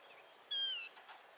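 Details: A yellow-wattled lapwing (Vanellus malabaricus) in the Indian Subcontinent, calling while running, gives a single sharp, nasal call sliding slightly downward, under half a second, against a quiet background.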